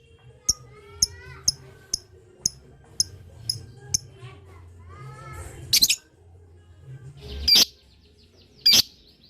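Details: Lovebird chatter used to make other lovebirds respond: a run of sharp, evenly spaced ticks about twice a second, followed by three loud, rasping high squawks at longer intervals over faint background hum.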